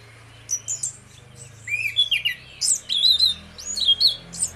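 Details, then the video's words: Pair of orange-headed thrushes singing 'ngeplong' as a lure for others. Clusters of high chips and slurred whistles come roughly once a second, louder toward the end, over a low steady hum. "DUO ANIS MERAH NGEPLONG GACOR, PANCINGAN ANIS MERAH BIAR BUNYI"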